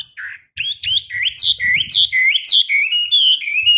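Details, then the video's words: Caged Chinese hwamei in a morning song-training session: varied loud whistled phrases, each note sliding up and down, in a quick, irregular run of about two per second, with faint low thumps underneath. "Luyện hót cho họa mi mỗi ngày 15 phút vào buổi sáng"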